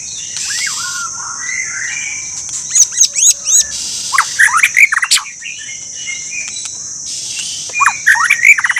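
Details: White-rumped shama singing a lively, varied song of clear whistled phrases, rising and falling slurs and rapid sharp notes in bursts, over a steady high-pitched insect-like hum.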